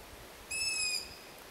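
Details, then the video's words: A single drawn-out, high, thin screech of about half a second from a young long-eared owl begging for food, with its begging siblings heard around it in the terrain. "Tiggande hornuggleunge / Asio otus / Long eared owl"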